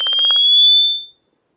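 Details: Cape clapper lark (Mirafra apiata) aerial display early in the morning in late winter: a quick rattle of about six wing claps, speeding up, in under half a second, then a long, thin, slightly rising whistle.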